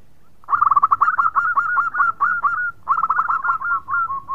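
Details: Singing local zebra dove, whose song is said to get other birds calling: a long, loud, rapid run of rolling, staccato coos, a short pause, then a second rippling run ending in softer notes.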